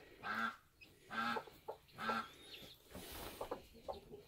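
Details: Bantam chicken at a homestead as chicks hatch: three loud, drawn-out nasal calls in steady succession, then quieter scattered short clucks.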